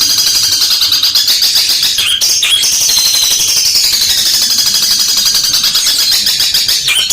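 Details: Long-tailed shrike, the cendet petir type from Sumenep, prized for a loud, sharp voice and a very long fighting song held steady and powerful; dense, harsh, rapid chattering and high notes pour out continuously with barely a break.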